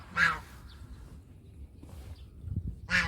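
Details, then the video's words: Domestic goose giving two loud, nasal honks, one near the start and one at the end, with a low rumbling background between them. "Country goose call"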